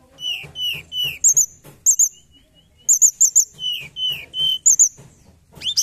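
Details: High thin forktail whistles used as a lure for trapping, falling slurs repeated roughly every half second, interspersed with doubled sharp chirps and a final rising sweep.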